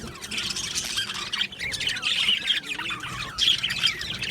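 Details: Colony of Australian budgies in an aviary chattering together: a continuous, dense wash of scratchy warbles, squeaky chirps and brief whistled notes overlapping without pause.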